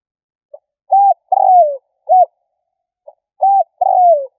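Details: Spotted dove giving its lure call: one full phrase of short coo, long sliding-down coo and short end note, then a second phrase that stops after the long falling coo, otherwise silent.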